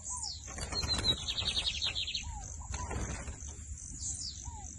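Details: Lined seedeater singing in the torneado song style: a fast buzzy trill of repeated high notes for about a second, while another bird gives short down-curved whistles at intervals, over steady hiss and rustling background noise.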